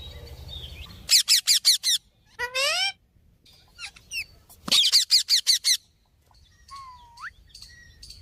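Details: Parrot giving bursts of harsh, rapid squawks in quick series, mixed with a rising whistled note and a few short upward-bending chirps, with quiet gaps between phrases.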